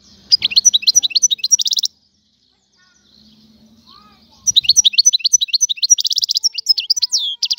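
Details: European goldfinch of the Algerian type singing quick twittering phrases of bright high notes, a gap of several seconds with faint low background sound, then a renewed burst of fast jingling trills.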